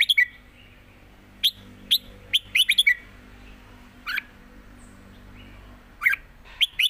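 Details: Red-whiskered bulbuls held in cages sing against each other in southern master style: a rush of crisp notes early on, a long quiet stretch, then a few more sharp whistled notes at the end.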